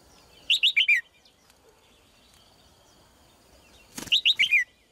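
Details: Female red-whiskered bulbul singing two matching phrases about three and a half seconds apart, each four rapid, clear whistles dropping in pitch, with a brief clack just before the second.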